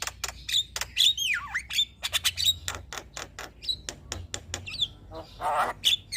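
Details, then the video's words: Javan myna singing for use as a master recording to draw other birds into song: harsh squawks and sharp clicks mixed with whistled slurred notes sweeping down and up, a buzzy rasping burst near the end. "Burung Jalak Kebo Gacor Mental Juara Tetap Bunyi Siang Malam Pas Buat Masteran dan Pancingan"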